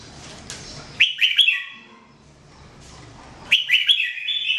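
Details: Jambul, the red-whiskered bulbul, singing for bird training in 2017: two short, lively whistled phrases of chirpy, warbling notes, separated by about two seconds of quiet.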